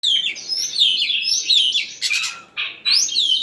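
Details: Oriental magpie-robin singing after sunbathing: loud, varied whistled phrases with sliding notes, broken by harsh buzzy bursts near the middle and resuming with bright rising whistles.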